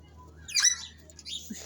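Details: An African grey parrot at Five Sisters Zoo, among visitors saying "hello", gives one quick, high, talking-style burst sweeping down in pitch, then soft breathy noise and faint background murmur.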